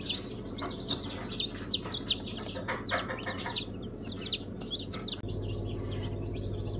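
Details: Young chicks of several breeds, Sultan, Brahma, İspenç and Ameraucana, hatched 1 September 2019, peep busily in overlapping high, downslurred notes; a low rumbling hum grows louder near the end.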